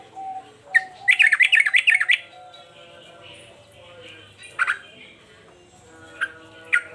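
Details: Agitated male sooty-headed bulbul singing persistently in the uplik-uplik sambung garuda style: one sharp note, then a fast burst of about ten bubbly, wavering whistled notes lasting a second, followed by a few scattered short calls over a faint steady tone.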